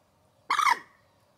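A Common Moorhen gives one loud, harsh, gurgling croak lasting about a third of a second against a quiet background.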